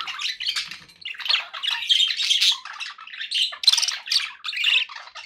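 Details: Budgerigars kept as pets keep up a steady, busy warble, mixing raspy squawks and twittering notes in an unbroken stream that swells and dips.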